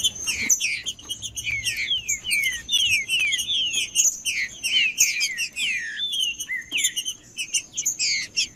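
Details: Green-winged saltator singing to rouse a quiet caged bird: an unbroken stream of rapid slurred whistles, falling and rising, heavily overlapping throughout.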